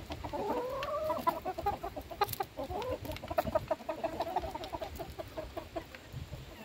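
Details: Domestic chickens being fed, a rising drawn-out call followed by many overlapping soft clucks and clicking sounds.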